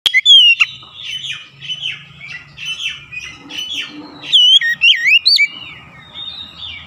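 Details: Oriental magpie-robin song used to provoke other magpie-robins into singing: scratchy, varied notes and chattering at first, then loud clear slurred whistles with rising and falling loops, over a faint low rumble.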